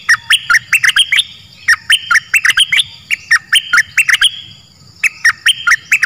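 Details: Bird song played to train young birds and rouse them. Bright chirped and twittering notes come in quick irregular bursts with short pauses, sharp clicks among them, over a faint low hum.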